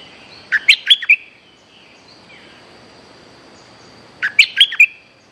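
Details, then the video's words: Bulbul song used as a luring call: a short burst of four quick, bright, warbling notes, then a pause of about three seconds and a matching four-note phrase, over a low background hiss. "Suara pikat merbah lekir gacor"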